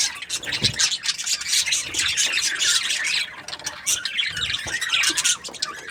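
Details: Happy budgie chatter, high and scratchy, with quick chirps layered over one another and a softer, quieter stretch past the halfway point.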